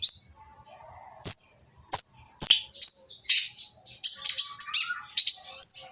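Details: Noisy-voiced oriental magpie-robin singing to goad idle birds into song. A few isolated sharp high notes build into a dense, hurried stream of varied chirps, rasps and whistles.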